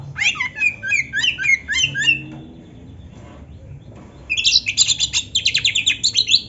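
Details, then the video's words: Kacer, the Oriental magpie-robin, in a canary-style tutor song for caged birds: a fast burst of repeated sharp chirps, a quiet pause of about two seconds, then a dense high trill of rapid notes. "suara Kacer gacor isian komplit | Masteran Kacer ISIAN Burung Kenari"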